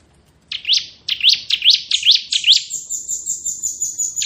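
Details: Bar-winged prinia (crystal ciblek) in ngebren song: five quick upslurred chirps, each sweeping upward, then a long, level, very high buzzy trill that runs to the end.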